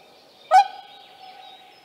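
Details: Single sharp nasal honk from a whooper swan with cygnets in Latvia, recorded 15 May 2024 at Tāši, followed by a faint sustained drone and soft distant sounds.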